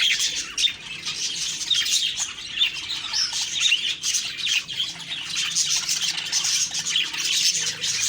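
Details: Budgies on an October 2, 2023 morning: continuous warbling chatter and quick chirps layered together, steady and high-pitched across the whole stretch.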